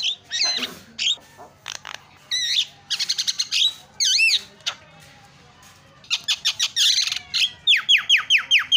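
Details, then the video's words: Varied starling song used to coax quiet starlings into chattering: looping whistles, clicks and harsh squawks, finishing with a series of sharp descending whistled notes repeated about twice a second. "SEKALI PENCET JALAK LANGSUNG PADA CEREWET"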